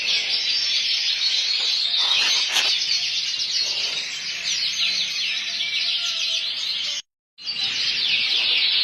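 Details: Belgian canary, a full frill canary, singing a dense stream of fast high chirps and trills running almost without pause, with a brief break near the end.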